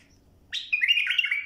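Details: A bulbul sings a tutoring phrase: a brief upslurred note, then a lively, liquid warble of rolling whistles sustained nearly a second, with no other sounds.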